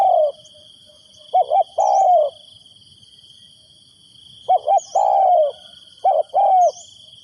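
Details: Decoy spotted dove calling wild doves: three low cooing phrases a few seconds apart, each made of quick wavering double notes and a longer sliding coo. A faint constant high-pitched drone continues beneath.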